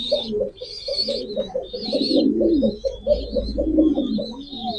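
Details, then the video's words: Rapid, pulsing, low coos repeat several times a second, while busy high twittering and chirping of small birds fills the background. "pigeon call and sound effect,কবুতরের ডাক।"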